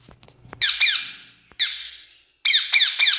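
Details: An Indian rose-ringed parakeet calls with harsh, high screeches that drop in pitch, given first as a pair, then singly, then as a quick triple, each ringing with echo.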